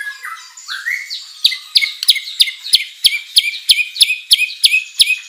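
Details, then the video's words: White-rumped shama singing vigorously, with varied mimicked material, as a lure for other birds: a few rising whistles open, then a steady series of sharp, clipped double notes repeated about three times a second. "MURAI BATU GACOR full isian materi mewah"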